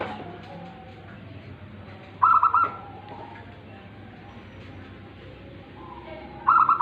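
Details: Tame local zebra dove giving its cooing song: two rolling phrases of rapid soft pulses about four seconds apart, separated by quiet stretches of low background noise.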